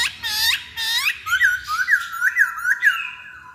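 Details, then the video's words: Masked laughingthrush used as a lure: two loud looping whistled phrases followed by a rapid series of short, rising whistled notes, about two per second, then a steady held whistle. "Pancingan Poksay Hongkong"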